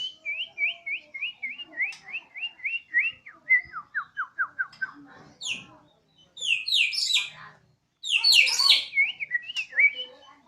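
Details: Caged Bornean white-rumped shama kept at home, singing with great enthusiasm in a siren-like style: a rapid string of repeated rising-falling whistled notes, then loud, harsh, varied bursts and chattering phrases.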